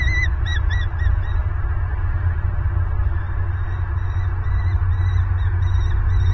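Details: Bald eagle pair at a Southwest Florida nest, November 26, 2022, filmed by a nest camera during a prey delivery; a quick run of high piping notes in the first second, then fainter calls beneath constant wind roar.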